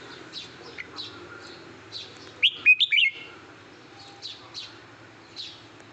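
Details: Caged red-whiskered bulbul kept as a decoy bird gives a short burst of loud, bright whistled notes mid-clip, amid softer repeated chirps from other birds in the background.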